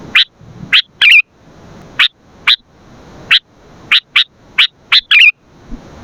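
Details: Energetic sooty-headed bulbul song for luring and training birds: crisp, high chip notes repeated at irregular short gaps, broken twice by quick warbled flourishes.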